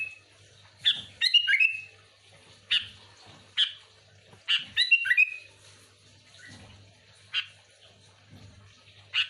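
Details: Sooty-headed bulbul singing vigorously to lure others of its kind: repeated short bubbly whistled phrases alternating with single sharp chirps, roughly every second, with a faint background hum.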